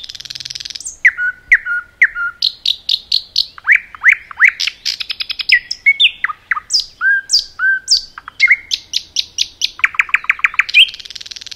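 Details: Common nightingale singing in a forest: a rich, unbroken run of varied phrases, with pure whistled notes repeated in short series, rapid dry rattling trills, sweeping upward and downward slurs and harsher buzzy bursts, all clear against a quiet background.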